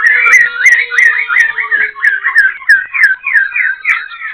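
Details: Black-throated laughingthrush perched at Tân Túc, Bình Chánh, Ho Chi Minh City, singing while dancing its tail and wings: looping liquid whistled phrases repeated about three times a second, with faint clicks and a steady low tone.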